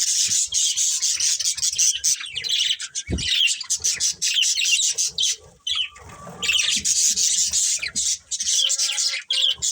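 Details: Pet budgies of a family group keep up a loud, unbroken chatter of high, scratchy warbles and chirps, with one brief knock partway through.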